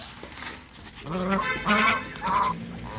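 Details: Against a noisy, hissing background, hungry brown Chinese geese give several wavering, nasal honks that rise in pitch toward the end.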